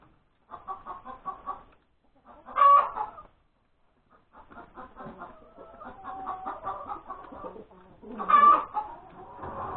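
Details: Hen after laying an egg on Sunday morning, January 31, 2021: bursts of rapid clucking, each ending in a loud stretched squawk, with a faint steady tone in the background midway.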